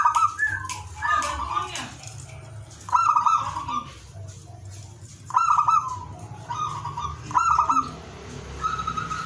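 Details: Zebra dove delivering ngowar song to trigger breeding desire in other doves: clipped, trilled coo phrases repeated roughly every two seconds, each a rapid stutter of notes on one pitch, above a low steady hum.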